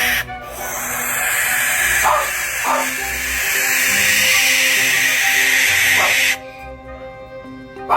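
A Barn Owl gives a long, harsh, hissing screech lasting about six seconds, with background music and a narrating voice.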